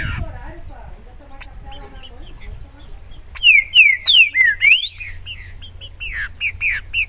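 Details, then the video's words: After a quieter start of distant chirping, a Green-winged saltator (Saltator similis) bursts into a loud phrase of descending whistled slurs ending in a rising note, with other birds twittering around it. "TRINCA FERRO DESTRUINDO SOLTO"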